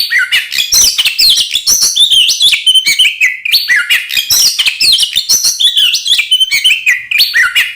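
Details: Lively Oriental magpie-robin singing a fighting-style song meant to make rival magpie-robins agitated and combative: rapid run of sharp whistles, slurred rising notes and chattering phrases, continuous and bright.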